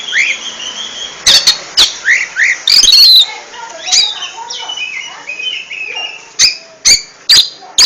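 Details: Captive oriental magpie-robin singing in the ngentrok style: clear whistled notes and short rising slurs, with a burst of varied chattering phrases mid-way and sharp loud clicks scattered throughout.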